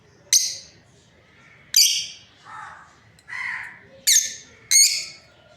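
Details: Breeding pair of lovebirds producing piercing, rasping shrieks alternating with softer, lower buzzy calls, about six calls over five and a half seconds.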